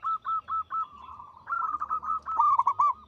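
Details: Local zebra dove song, long and melodious: spaced single notes, then a softer trilling stretch, then a loud quick sequence of staccato notes with a slight catch at the end.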